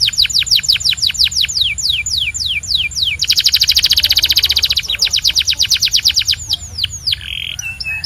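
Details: Belgian canary singing a fast series of descending whistled sweeps, then a dense buzzy high trill near the middle, followed by quick repeated notes and a short steady whistled tone.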